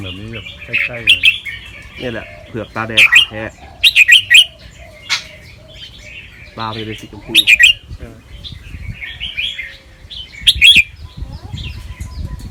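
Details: Caged albino fancy Red-whiskered Bulbul, white with red eyes, a competition-line bird from Chonburi. It gives a training song in a doubled, trilling, quick-fire style. Bursts of bright chirped phrases repeat every few seconds, with occasional speech underneath.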